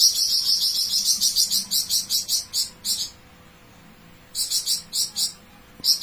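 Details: Flamboyan bird in full, long-phrased song: rapid bursts of high, dry, rattling chips repeated about three per second, a pause, then the fast chattering series resumes near the end.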